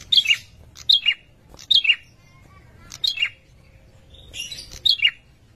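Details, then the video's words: Male prinia giving its breeding call to attract a female: loud, sharp, high chirps that slur downward, repeated roughly every second in short bursts with brief pauses. "Prenjak bawah/Prenjak lumut jantan suara birahi memanggil betina"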